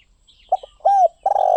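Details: Spotted dove delivering a quick soft double note, then a smooth rising-and-falling coo, then a long rough buzzing croo, with thin high chirping from other birds in the background.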